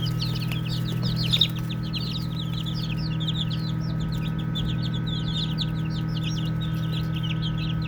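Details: A flock of baby chickens at play keeps up dense, high-pitched peeping, with short downslurred chirps tumbling over one another continuously against a low electrical hum.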